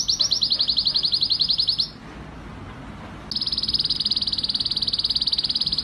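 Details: Excited male canary singing to stimulate mating; fast, high buzzy trill of rapidly repeated notes for about two seconds, a pause with faint background hiss, then another sustained rapid high trill.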